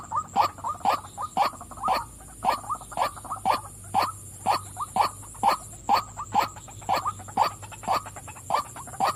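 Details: Female white-breasted waterhen repeating rough, nasal croaks at around two per second, some notes doubled, with a faint constant hum behind.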